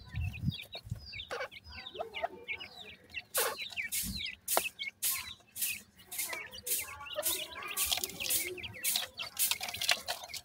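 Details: Grey francolin chicks offered for sale in Multan, giving many short, thin chirps that rise and fall, overlapping quickly, broken by loud clattering knocks and bumps and a low rumble near the start.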